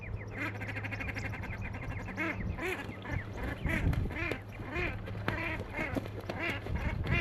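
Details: Common shelducks (Tadorna tadorna) calling on the Manych steppe, Russia, on 23 April 2024 near a black-winged stilt nest: overlapping nasal, quacking, arched calls from several birds over a steady low hum.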